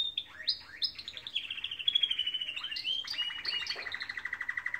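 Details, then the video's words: Morning song of canaries: rising whistled swoops run into a long sustained trill that slowly falls in pitch, with brief high notes scattered over it. "Beautiful canaries singing in the morning"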